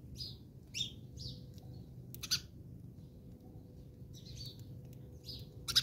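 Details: Fighting house sparrows in South Africa: a run of short, high, slurred chirps, several in quick succession, then a pause and another group of chirps with a sharp burst at the close.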